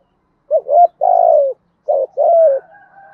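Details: Spotted dove singing thúc gù coos in a deep thổ-style voice, a style said to suit wild doves: two phrases, each a brief doubled note and then a long, falling hum, with a faint higher tone trailing after.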